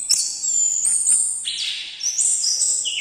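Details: Orange-headed thrush delivering very high, long held whistles that shift in steps, with a lower buzzy note midway and a short falling note at the end.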